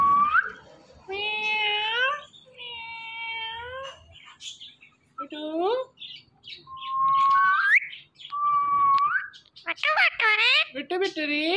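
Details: Indian ringneck parakeet, a talking green parrot, mimicking words and repeating "Mitthu": a series of clear, tonal, voice-like syllables, some rising and others flat, interspersed with short squeaky whistles and chatter.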